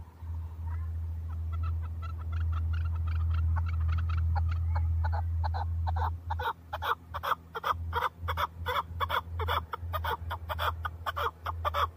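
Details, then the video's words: Chukar partridge, a male hunting bird in Tajikistan, 2020: a few faint notes under a loud low hum, then from midway a fast, accelerating series of sharp chuk notes with the hum fading. "Садои кабки Шикори"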